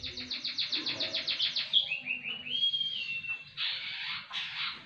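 A munia sings a quick run of a dozen high ticking notes, then a few thin, rising whistles, ending in harsh buzzy bursts.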